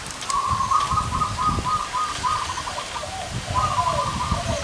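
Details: Wild zebra doves with large and small voices gathering at one outdoor spot, a bird luring site. They give rolling, stuttering coo phrases repeated back to back over constant outdoor background noise.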